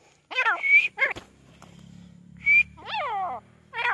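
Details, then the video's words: Grey francolin calling: harsh, ringing notes that slide downward, given in short bursts, with clear whistled notes between them and a low hum underneath. "Teetar ki boli | Teetar Voice | Grey francolin teetar sound"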